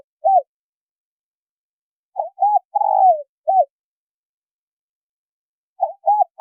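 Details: Spotted doves, male and female, calling to rouse wild doves: a lone end note, then a full phrase of two short coos, a drawn-out trilled descending coo and a final coo, and another phrase beginning near the end.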